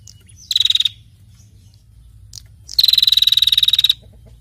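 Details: Calling female prinia: a short buzzy pulse burst, then after a pause a longer rapid trill of about twenty even clicking pulses lasting over a second.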